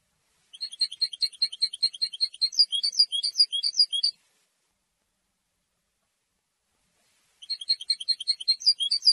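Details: Territorial European goldfinch song meant to draw females: a sustained three-and-a-half-second stream of fast, high chirping notes, a long pause, then another rapid twittering phrase.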